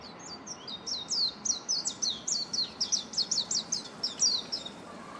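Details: Japanese white-eye singing from a bamboo thicket in late March 2021, hidden and hard to spot: a fast, lively run of about sixteen high, thin, sweet chirping notes, closely spaced and slightly varied, over soft background hiss.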